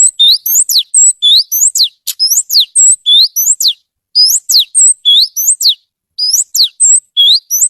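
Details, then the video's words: Oriental magpie-robin singing: a repeated sequence of clear whistled notes, some sweeping down steeply, others rising, grouped in quick phrases separated by short gaps, with high thin overtones above. "Suara Kicau Kacer Gacor Merdu"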